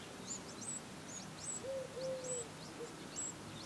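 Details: Eurasian wren brood at the nest, recorded 15 August 2011: faint, very high squeaky chirps repeated rapidly, with longer low smooth whistled tones in the middle, over a noisy background.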